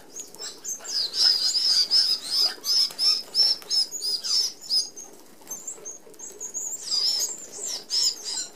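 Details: Flock of Red-browed finches, native to Australia, feeding at a mesh feeder; rapid high thin chattering notes repeated steadily, a short lull, then renewed chatter with wing flutters.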